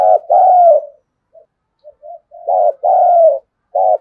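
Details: A spotted dove kept as a decoy gives its thunder-voice calls of thúc, gù and gáy gọi. Loud throbbing notes each run into a smooth falling coo, separated by short gaps with faint soft grunts.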